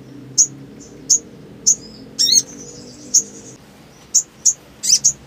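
A Black sunbird gives sharp, very high chips about every half second, with a short buzzy trill in the middle and a faint low hum beneath.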